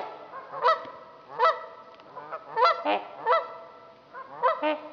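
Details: Trumpeter swans calling on Dixon Lake in Itasca County, Minnesota. A series of loud, brassy, trumpeting honks about every three quarters of a second, with a second bird's overlapping notes.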